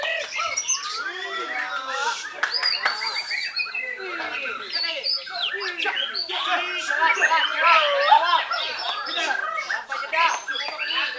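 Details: Indonesian white-rumped shama from Belitung Island in a long, busy song: fast rippling whistles, warbled slurs and harsh chattering notes packed tightly together, swelling slightly around the middle.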